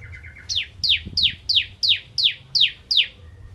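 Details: Crystal bar-winged prinia in full nembak ngentrok song opens with a quick soft ticking run, then delivers eight piercing downslurred notes in an even rhythm, roughly three each second.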